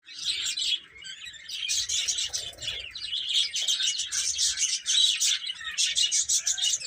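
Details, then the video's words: Baby chickens eating and playing, a dense chorus of high, thin chirps overlapping almost without pause, with a brief quieter dip near the start. "Baby Chicken Chirping Sounds"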